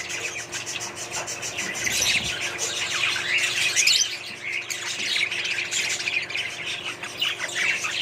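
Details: Budgerigars in a small colony setup keep up a lively flock chatter, rapid chirps, squeaks and squawks overlapping, swelling slightly in the middle.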